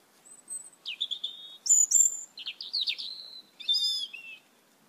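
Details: Asian glossy starlings in a backyard, numerous and eating papaya: varied high whistles, a level thin tone, wavering squeaks, a ringing metallic burst and a falling slurred note, spaced across nearly five seconds against quiet surroundings.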